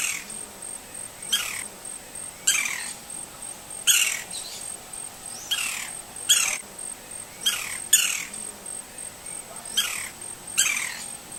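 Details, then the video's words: Green-barred woodpecker calling in its natural Brazilian habitat: about a dozen abrupt, downward-sweeping calls, sometimes paired, spaced one to two seconds apart, against a constant shrill insect drone. "GREEN-BARRED WOODPECKER Sounds (COLAPTES MELANOCHLOROS), PICA-PAU-VERDE-BARRADO."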